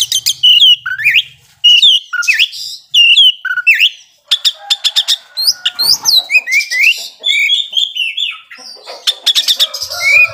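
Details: Oriental magpie-robin in vigorous song meant to stir slow-tempered rivals; sweeping slurred whistles in paired phrases, then long rapid chattering sequences of sharp notes.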